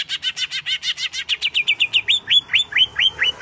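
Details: Greater green leafbird (cucak hijau) in rapid song: a steady run of sharp, chirping notes, about two per second, that start as buzzy bursts and turn into clear upslurred whistles. No other sounds.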